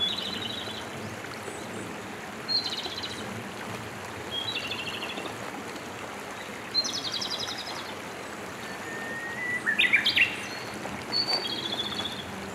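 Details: Japanese robin in Hiroshima, 2019. Brief high rattling trills recur every couple of seconds, and one long whistled note leads into a fluttering trill. Steady rushing stream noise runs throughout.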